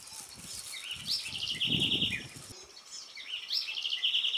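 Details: Itatiaia spinetail (Asthenes moreirae) singing at Capelinha/Angelândia, Minas Gerais, Brazil: a high thin rising note breaking into a fast dry trill, given twice, with low rustling noise underneath.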